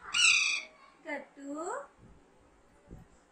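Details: Young pet Alexandrine parakeet, hand-raised at home during talking training: one loud, harsh, nasal squawk at the start, then a person's voice speaking softly.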